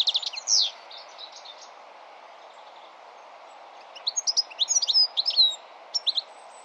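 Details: European goldfinch, known for its melodic song, giving a short burst of bright chirps, a silent gap, then a rapid, jumbled sequence of tinkling, twittering notes, over faint continuous background noise.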